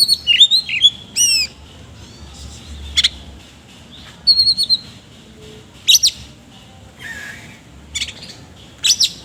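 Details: Oriental magpie-robin in full ngobra song with rough fill-ins (isian kasar), giving scattered high sharp notes and quick downslurred whistles, spaced with brief pauses roughly every second or two over a faint low background hum.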